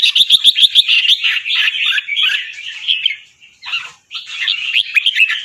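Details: Fancy albino red-whiskered bulbul, white with red eyes, caged and trained for competition in Chonburi, Thailand; opens with about seven fast, evenly repeated crisp notes, then warbled chatter, a short silence, and more lively phrases.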